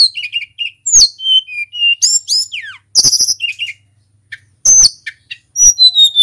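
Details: Local Tledekan gunung singing vigorously, used as a lure to make other birds sing: high whistled notes, a downslurred whistle, sharp chips and bursts of rapid twittering, with short pauses between phrases.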